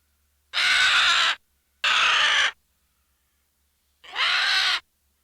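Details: Three scratchy vulture squawks, the first two close together and the third after a longer pause, each about three quarters of a second and uniformly raspy.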